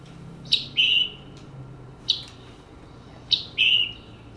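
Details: Scarlet tanager (Piranga olivacea), a West Virginia forest bird, gives its distinctive two-part chip-burr call three times, about every 1.4 seconds: a sharp high chip, then a lower, hoarse burry note.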